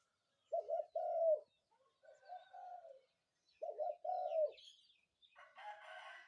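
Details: Spotted dove cooing in the morning. Two soft, hollow coo phrases, each a quick stuttered note followed by a longer cooing note, repeated with a fainter coo between them. A brief noisy rustle follows at the end.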